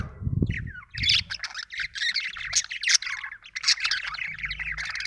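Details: Loud, dense budgerigar chattering, a nearly continuous stream of buzzy chirps and squeaks, preceded by a brief low thump at the start.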